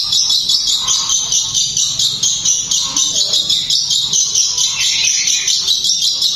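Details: A long-tailed shrike pours out a fast, tightly packed song, a dense stream of high, scratchy, chattering notes with barely a pause, almost jingling, said to agitate other shrikes and stir them to sing.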